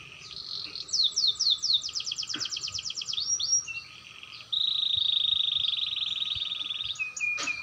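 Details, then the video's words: Canary learning to roll, voice clear: a series of quick descending whistles runs into a fast rattling trill, short slurred notes, then a long, steady, high rolling trill and a final sharp note. "burung kenari belajar ngerol suarany jernih"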